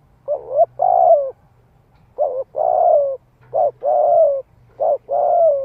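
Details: Cooing of a spotted dove used as a decoy to draw in wild doves. Four paired phrases, each a brief mellow note and then a longer drawn-out, slightly falling coo, spaced about a second and a half apart.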